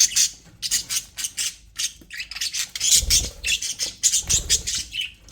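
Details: Budgies in an aviary chatter steadily, a regular train of scratchy high pulses and short warbled notes, with occasional low thuds underneath.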